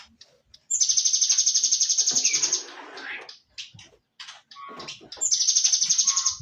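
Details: Cinereous tit (gelatik batu) song: a long, fast, high-pitched buzzy trill of steady pulses, then a pause filled with short chirps and clicks, and another rapid trill starting near the end.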